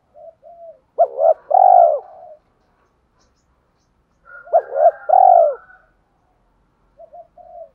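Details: A decoy spotted dove gives its cooing call to stimulate wild doves to reply and approach. Two clear three-part coo phrases about four seconds apart, with soft murmurs at the start and end.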